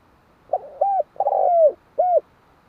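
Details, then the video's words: Spotted dove giving one cooing phrase: a short stuttered note, a rounded coo, a long buzzy drawn-out note sliding downward, then a final clear coo, all low and mellow against a quiet background. "Tiếng chim cu"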